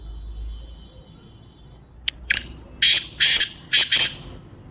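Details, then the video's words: Sindhi nasal black francolin, home-bred, calling: a faint click, then a rising series of loud harsh, grating bursts, roughly four, closely spaced, over a low background hum. "Sindhi Nasal Black Franclion Voice Kala Teetar ki Awaz"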